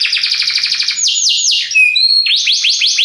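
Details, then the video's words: Belgian canary in full, powerful song: a fast pulsing trill, slower sweeping downward whistles, a few pure drawn-out tones, then repeated rising-falling slurs. "belga canário encantador, canto muito poderoso"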